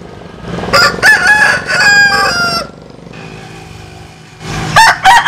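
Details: Cock crow from a compilation of Vietnamese and American Sil roosters: a choppy multi-part crow for about two seconds, then low traffic-like noise, and another crow beginning at the end.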